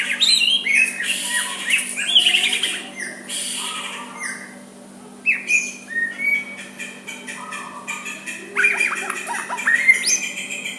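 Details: Gentle white-rumped shama song meant to provoke an opponent's reply: clusters of clear whistles and downslurred notes, a quieter pause mid-way, then renewed bright phrases, with a low hum throughout.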